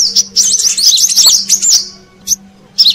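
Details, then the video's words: Brown-throated sunbird calling, played as a lure for wild birds: a dense burst of high, twisting squeaky notes for about two seconds, then two isolated sharp chirps after near silence, with a low steady hum. "Suara Pikat Burung Kolibri Kelapa Manggar"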